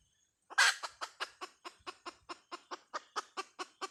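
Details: Hen chicken, a call given the local name "Dib tsauj": one loud harsh opening note, then a steady run of short clipped clucks about five per second, each slightly softer, in an otherwise quiet setting.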